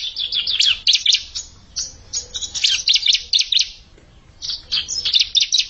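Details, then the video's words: Challenging an established rival, an untrained bar-winged prinia delivers clustered bursts of shrill, scratchy chirps with a brief pause in the middle, then resumes with more high twittering. "Ciblek Bahan Nantangin Ciblek Mapan"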